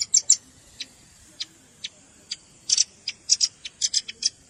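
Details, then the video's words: Velvet-fronted nuthatch luring calls combined with juvenile voices: irregular, very high, sharp chips, some doubled or tripled, spaced unevenly over quiet background. "SUARA PIKAT BURUNG RAMBATAN"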